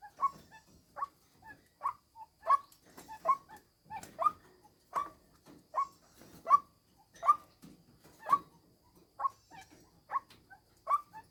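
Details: Female white-breasted waterhen decoy call: short harsh notes near the middle of the range, repeated about once every second in an uneven series over eleven seconds. No other clear sounds.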